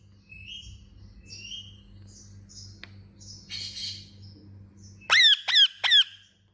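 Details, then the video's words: Pet Indian ringneck parakeet uttering soft scattered squeaky notes and a brief rustle, then three loud harsh chirps close together at the end, with a constant low hum throughout. "Indian Ringneck Chirping Sound"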